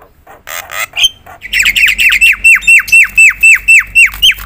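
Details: Javan myna in loud full song for provoking other mynas: a few rasps, then a regular run of about twelve sharp falling whistled notes, four or so per second.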